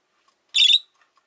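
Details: A single loud, raspy, broad screech from rosy-faced lovebirds, five birds kept in a cage at a window, stands out against near silence.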